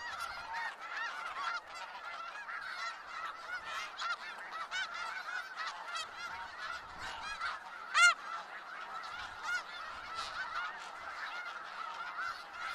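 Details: Snow geese massed in Skagit Valley: a continuous background din of many honking birds, with one sharp, loud nearby honk bursting out around eight seconds in.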